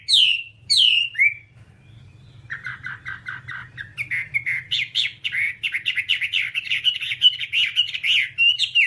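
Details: Whambie song from a long tutor recording for training caged birds: two loud swooping whistles, a pause, a soft rapid stutter of notes, then a dense, rising chatter of quick twittering whistles.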